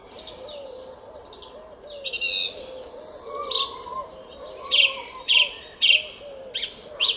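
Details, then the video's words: Morning song of a song thrush in a Hungarian village garden, 06:15, 10 April 2021: varied high chirps, then one sharp phrase repeated three times, while faint lower whistles sound in the background. "ÉNEKES RIGÓ TRILLÁZIK A KERTÜNKBEN!"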